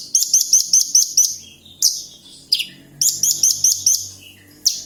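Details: Caged Javan bush lark from Kediri singing strongly: rapid series of sharp high chirps in fast runs, then pauses broken by single downslurred notes.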